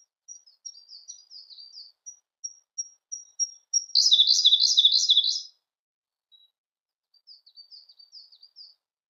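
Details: Siberian blue robin song: a series of thin, high introductory ticks speeding up, then a loud, rich rattling trill lasting about a second and a half, followed by softer slurred chirps.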